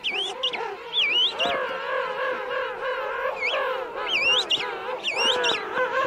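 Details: King penguins at Right Whale Bay, adults calling near the microphone within a colony of adults and chicks; high whistled up-sweeping notes over lower warbling trumpet calls, repeated in bursts.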